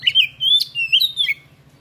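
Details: Oriental magpie-robin singing a mimicry-rich song: clear slurred whistles gliding up and down in four quick linked phrases, ending on a falling note, with a steady low hum in the background.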